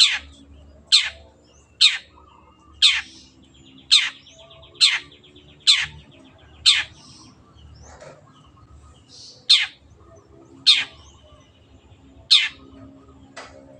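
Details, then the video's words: Long-tailed shrike tutor recording for caged birds: a long series of short, sharp downward rasps, about one per second with a brief pause midway, over a low background hum. "MASTERAN BURUNG CENDET GACOR JADIKAN BURUNG KESAYANGAN ANDA SEMAKIN GACOR DENGAN SUARA JERNIH"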